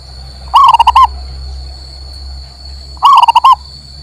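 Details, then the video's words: Male local zebra dove song used to rouse a bird that has stopped singing: two matching phrases of rapid, soft, rolling coos, each about half a second long and roughly two and a half seconds apart, over a faint constant high hum. "MERANGSANG PERKUTUT MOGOK BUNYI"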